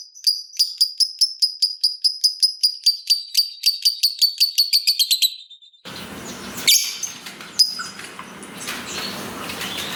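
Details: Lovebird, a fighter type, giving a long ngekek chatter meant to prompt other lovebirds to sing: a speeding, evenly spaced series of sharp chirps that fades out after six seconds, followed by rustling and handling noise.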